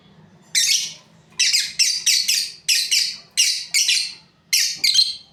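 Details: Shrill, raspy chirps from a breeding pair of lovebirds, in uneven clusters of two to four notes with short gaps between, the room otherwise quiet apart from a low hum.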